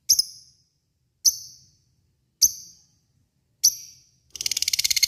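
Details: Lovebird calls used as a lure to provoke other lovebirds into long chattering: four sharp high shrieks spaced about a second apart, then a fast rapid-fire chatter of ticking notes beginning at the end.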